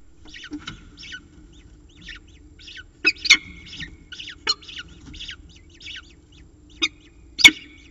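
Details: Peregrine falcon calls at the Charles Sturt University nest in Orange, New South Wales, during feeding: clusters of thin descending chirps interrupted by several louder sharp squeals, against a quiet background.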